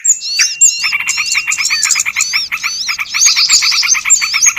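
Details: Lure call used by bird trappers to attract small birds: a dense, busy chorus of rapid chirps repeated in quick pulses under looping, high whistled slurs, with a thin steady tone running through the first half.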